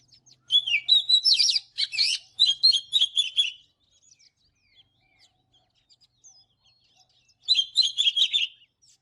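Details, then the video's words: Oriental magpie-robin singing in the morning, a recording used for song training: a three-second burst of rapid, varied whistles and chirps, then near silence with faint distant notes, then a second loud, dense phrase near the end. "เสียงนกกางเขนบ้านหรือนกบินหลาขี้ควายใต้ Chòe than HÓT SÁNG"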